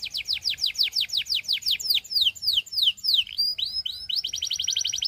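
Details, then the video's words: Russian singing canary song: fast series of bright downward-sweeping notes, slowing into longer separated slurs, then breaking into a quick, tight, high rolled trill; no other sounds present. "A Special Canary to Seduce All The Canaries - The Russian Singing Canary"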